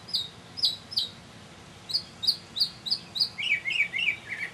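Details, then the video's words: Mockingbird's evening mini concert, May 2007: sharp high notes repeated in threes, a faster run of four similar notes, then a descending string of lower buzzy chirps. "Mockingbird Songs"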